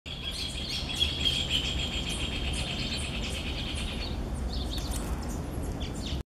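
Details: Swallow-tailed hummingbird (Eupetomena macroura), call.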